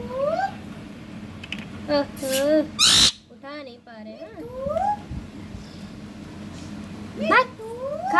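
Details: Ringneck parrot, an Indian parrot, talking in wavering, speech-like harmonic phrases that rise and dip, broken by a loud harsh burst partway through, then further rising syllables in quieter indoor surroundings.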